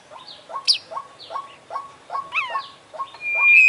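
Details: Singing oriental magpie-robin, beak and tail open, delivering a mimicry-filled song: evenly spaced low notes about three per second under small sweeping whistles, one bright downslurred trill, ending in a long sustained high tone.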